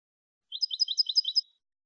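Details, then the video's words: Clean Malagueño song of a European goldfinch for schooling goldfinches: a one-second run of quick, evenly paced high twittering notes, bright and metallic, about five double chirps in a row, nothing else audible. "NUEVO CD MALAGUEÑO LIMPIO PARA EDUCAR JILGUEROS"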